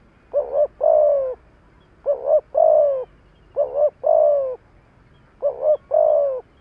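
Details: Decoy spotted dove calling to stir up wild doves: four low phrases, each a quick double coo followed by a long gently falling coo, evenly spaced over quiet background.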